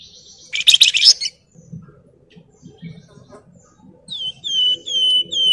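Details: Javan fulvetta (wergan jawa) in energetic song styles called nyuling, nyiul and ngebren, used as a master track for training other birds: a loud burst of dense chattering notes, then a quiet pause and a series of clear, falling whistled notes.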